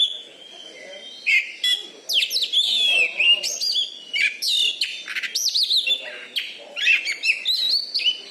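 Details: Champion caged Oriental magpie-robin of Bengkulu, Indonesia, loud-voiced and kept for song contests. Rapid varied song of high sharp whistles, fast trills and slurred chirps in short, energetic bursts throughout.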